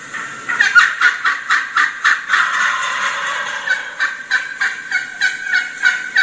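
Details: A wild turkey hen calls to approaching gobblers with fast runs of excited yelps, three or four a second, of varied, rising and falling pitch. She stops and listens each time a gobbler gobbles, then starts again.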